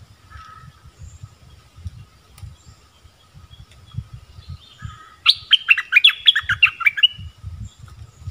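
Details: Orange-headed thrush, southern form, singing a song used to draw in wild birds and coach young birds: a soft low rumble of background noise, then a sudden dense two-second flurry of sharp, descending chirps.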